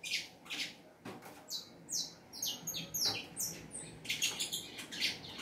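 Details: Saffron finch singing a lot: after a quiet first second, a run of high chirped notes, many sliding downward, follows in quick bursts to the end, with a few sharp clicks between phrases.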